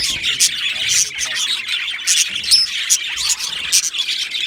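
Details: Two male budgerigars exchanging quick high chirps, squeaks and a clear whistled note amid lively, uneven chatter.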